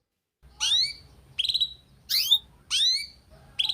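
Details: Canary song played as training material for young canaries: separate short bursts of sharp falling whistled notes, about one every 0.7 seconds, with a faint low hum underneath.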